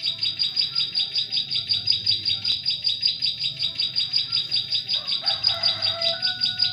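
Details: Bar-winged prinia singing as a trapping lure for forest prinias: a relentless, regular series of high, clipped notes about three per second, plus a short whistled phrase from a second bird near the end.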